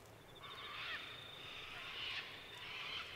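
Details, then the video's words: Sulphur-crested cockatoos at Mt Coot-tha in Brisbane, Queensland, recorded on 6 November 2022 with a Canon R7: a few harsh, raspy screeches rise above steady outdoor background noise, spaced about a second apart. "Sulphur-Crested Cockatoos at Mt Coot-tha"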